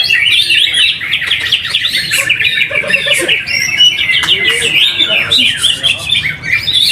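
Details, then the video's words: Greater green leafbird in a cage at a weekly practice song contest in Trowulan, Mojokerto, Indonesia, winning first place despite not being fully fit; fast warbled phrases and bright whistles pour out without pause, mixed with other singing birds. "AKSI PENAMPILAN EPIK BURUNG CUCAK HIJAU"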